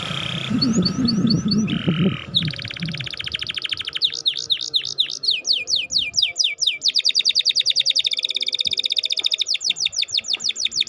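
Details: Canary song used to stir a reluctant singer: opening buzzy notes over low noise, then long rolling trills, looping upward-downward notes and a fast steady rattle.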